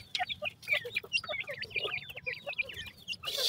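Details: Grey francolin chicks calling for their mother: a busy chorus of thin, wavering, twisting high chirps, closely packed and overlapping, over low background rumble, ending in a burst of noise.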